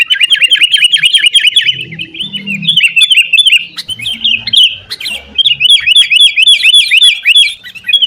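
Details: Sooty-headed bulbul in combative form, recorded as a lure for caged birds: an energetic stream of repeated, springy downslurred notes, steady and loud throughout, with soft low murmurs beneath.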